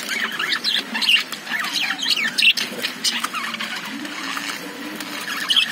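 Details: Caged lovebirds chatter nonstop in shrill, squeaky chirps and rasping squawks that overlap from several birds, with no other sounds.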